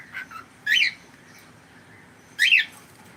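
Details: Domestic cockatiel giving two loud grating squawks about 1.7 seconds apart, preceded by a couple of soft short chirps, with a steady faint background hum.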